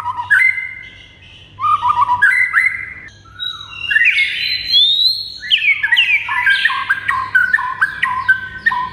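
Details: Varied white-rumped shama training song: scattered whistled notes, a long rising whistle, then a dense flurry of quick, jumpy notes at varied pitches.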